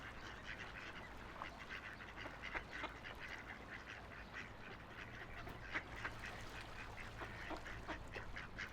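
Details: Ducks floating, splashing and playing on a quiet river, giving short nasal quacks in irregular bursts, several per second at times, over a steady rush of flowing water.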